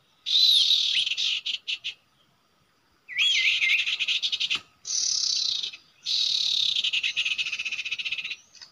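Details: Common iora at a usual nesting spot used for trapping: four long bursts of harsh rattling chatter, one opening with a looping whistled figure, with gaps of silence between them.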